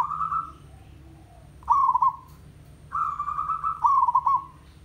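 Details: Local village zebra dove (merbok kampung) singing: mid-pitched cooing phrases, each a stuttering, trilled run of rapid notes that trails off into a smooth tone, three phrases in five seconds over a low steady hum.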